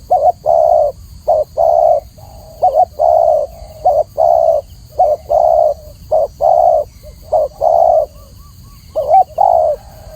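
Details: Spotted dove (tekukur) cooing clearly. A string of rounded, low hooting notes comes in short and longer pairs at a fairly even pace, almost a note a second. The background is quiet and there are no other voices.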